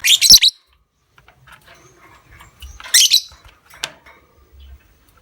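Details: Lovebird recording played as a lure to set other lovebirds into long ngekek chattering; two harsh, high, buzzy bursts of about half a second each, with a thin sharp note after the second and quiet gaps between.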